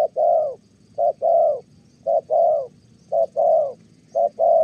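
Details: Good-voiced spotted dove from Kon Tum, Vietnam, kept for trapping, cooing in Thổ style: four evenly spaced pairs of a brief low hoot followed by a longer soft one.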